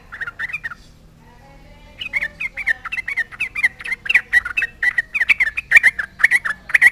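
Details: Yellow-vented bulbul song aimed at rival bulbuls to make them respond: a short burst of gurgling notes, a second of quiet, then a steady, rapid stream of bubbly whistled phrases, roughly two per second.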